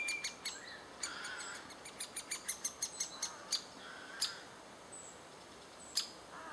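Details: Adult great spotted woodpeckers feeding chicks, June 2011: a series of sharp, clicking high notes, bunched quickly around the second and third seconds, then single spaced-out knocks, over quiet background.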